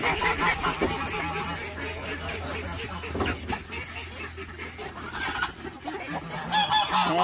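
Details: Domestic geese honk loudly and often amid a busy farmyard chorus of ducks, chickens and other fowl, excited after being let out later than usual.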